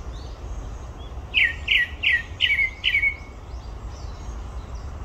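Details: Grey-backed thrush at Olympic Park gives five quick, loud, falling whistles. Each carries faint high overtone ticks, the last trailing off, over a steady low background rumble.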